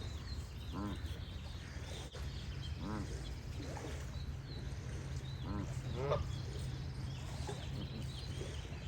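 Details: Goose giving several short, nasal, harmonic honks, a pair near the start and a close double honk mid-way, against a constant low watery rumble and faint high birdsong.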